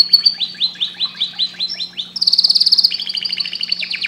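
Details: Singing canary: a run of quick descending chirps, then a loud, fast rattling trill and a series of rapid downslurred notes, with faint low hum behind.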